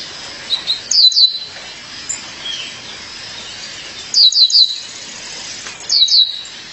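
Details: Female violaceous euphonia calling her mate, repeating short clusters of two to three piercing high chirps roughly every three seconds.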